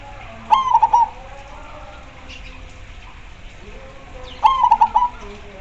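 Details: Zebra dove, a lively singer that sets other doves answering: two bright trilled cooing phrases about four seconds apart, each a sharp note running into a rapid stuttered roll, with faint calls and hum between.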